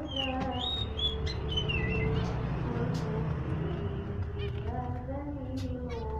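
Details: Zebra finches chatter in short, high chirps and falling squeaks, a lively sound meant to bring finches into breeding condition, with nasal, voice-like tones beneath and a steady low rumble throughout.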